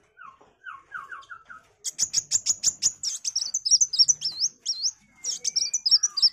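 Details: Vigorously singing sunbird, tutor material for magpie-robins: soft lower descending notes first, then a dense run of very high sharp chips flowing into squeaky, twisting high warbled phrases.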